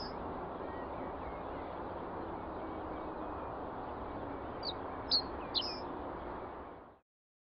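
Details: Reed bunting song captured on a Nikon D300s DSLR: after a long stretch of steady hiss, a brief burst of three or four high, clipped notes near the end, then the recording cuts to silence.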